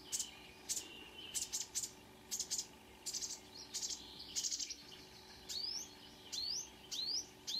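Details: A marsh warbler sings at 05:00 on 2 June 2009 at Kråkstad near Ski, Norway, possibly mimicking other birds and a car alarm: a fast, varied run of high chirps, trills and buzzy notes, ending with repeated rising whistled sweeps.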